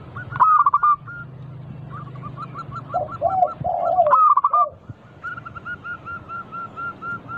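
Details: Local zebra dove song meant to draw other doves into singing. Two loud, fast coo phrases sit among runs of soft regular notes and lower warbled coos, over a steady low hum.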